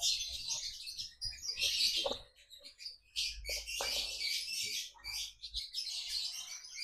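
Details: Captive lovebird at a breeding farm in Salatiga, Indonesia, pouring out dense, rapid, high-pitched chirps and buzzy twitters in long bursts separated by short pauses, with low room noise underneath.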